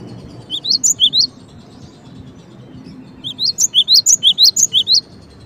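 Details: Two short bursts from a cinereous tit, each made of quick alternating low and rising high whistled notes, separated by a few seconds of quiet background.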